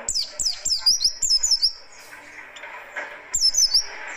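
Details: Oriental white-eye of the buxtoni form in harsh, speedy riwikan style, used as lure and master song: a run of quick, high, sharp zigzag notes in rapid clusters, a pause, then another short high burst.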